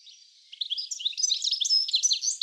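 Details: European goldfinch in a garden in Uddel, the Netherlands, April 2013, giving a quick, lively run of high twittering and jingling notes after a faint start.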